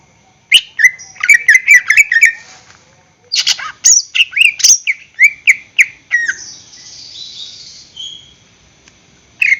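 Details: Lure recording of greater green leafbird song meant to set caged birds singing: rapid, varied bursts of whistles and chips, a pause, then another lively run of rising and falling whistled notes and a drawn-out buzzy note.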